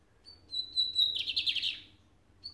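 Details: One lined seedeater phrase: a steady high whistle held for about a second, then a quick, harsh, pulsing trill, with the start of another whistle at the end.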